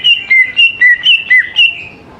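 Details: Greater green leafbird lure song, used to coax young leafbirds into singing: loud, clear whistled notes alternating between higher and lower slurred phrases, seven in a steady run, then fading away.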